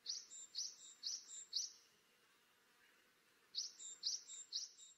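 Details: Tit repeating high, clipped notes in a run of four, then a pause, then another similar run, against a low steady background hiss.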